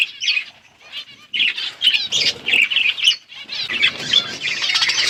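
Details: Budgerigars eating seeds chatter in a busy stream of bright, scratchy chirps and warbled squeaks.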